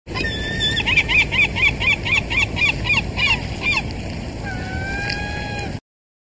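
Herring gull giving a quick series of about a dozen harsh, nasal yelping notes, four a second, ending in a drawn-out mewing wail, over steady background rumble.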